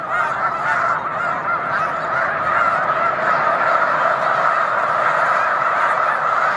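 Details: Huge flock of Snow Geese on Cayuga Lake, afternoon in March; loud unbroken clamor of nasal honking, swelling slightly in the second half as calls pile together.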